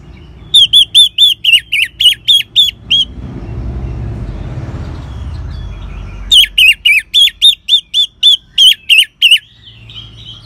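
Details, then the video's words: Orange-headed thrush in ngeban style, a song used to spur caged birds to sing: two long runs of loud, sharp, down-slurred notes repeated rapidly, separated by a few seconds of low rumbling noise. "Suara Ngeban Untuk Pancingan ANIS MERAH Jitu Membuat Burung Gacor"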